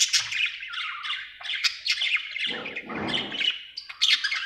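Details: A happy budgie chatters steadily, mixing harsh squawks, buzzy warbles and brief high whistles in a rapid, unbroken stream, with a rougher noisy patch around three seconds.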